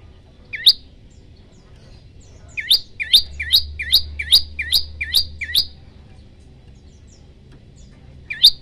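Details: Prenjak lumut (prinia) giving a rapid 'tembakan' burst used as a training recording for songbirds: a series of sharp, rising chirps repeated about three times per second, then a pause and another single chirp, over a faint low hum.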